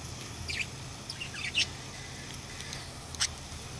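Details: Young budgies calling with a few brief, high, sharp chirps spaced about a second apart against a quiet, humming background.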